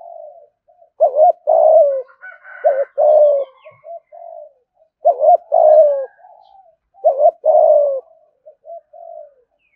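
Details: Spotted dove kept as an ornamental cage bird, giving the thúc gù cooing style: four low phrases, each a quick double note followed by a long, slightly falling coo, spaced about two seconds apart, with faint softer coos between.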